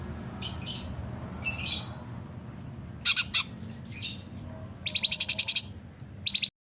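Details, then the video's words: Sooty-headed bulbul singing in rapid bursts, a training recording meant to coax silent bulbuls into song: scratchy high chirps, then a quick run of about ten even ticking notes and a final short burst, with a steady low hum behind. "CUNGKOK GACOR FULL TEMBAKAN"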